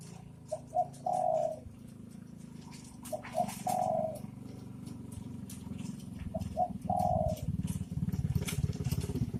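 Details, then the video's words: Spotted doves, male and female, singing: three cooing phrases, each two short notes then a long drawn-out coo, spaced about every three seconds over a steady low rumbling background noise. "Suara Burung dekukur jantan dan betina"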